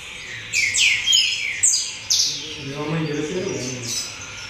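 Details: Coleiro in a circle of fellow coleiros gives a burst of loud, high, ringing whistles and fast downslurred notes, then falls quiet as a voice talks in the background.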